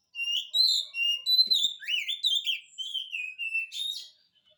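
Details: Energetic oriental magpie-robin singing, intended to prompt a reluctant bird to answer: a continuous stream of clear whistled notes, rising and falling slurs and quick chips, delivered at a brisk pace.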